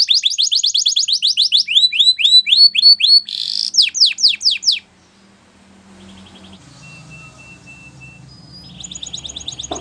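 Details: Belgian canary singing for training, a fast series of sweeping whistled notes changing through several phrases and a brief buzzy roll, then quiet with faint thin tones.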